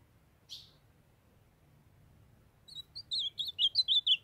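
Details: Ultramarine grosbeak pair kept together, the female calling to warm up the young male: one short high chirp, a pause, then his quick sequence of bright whistled, slurred notes growing louder toward the end.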